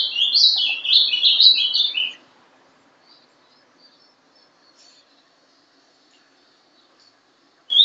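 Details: Ringed captive young Ultramarine grosbeak, hatched 11/12/2012, sings one two-second Paraná-style sobe e desce phrase of rapid warbled whistles climbing and falling. Near silence and faint chips follow, with a brief note at the very end.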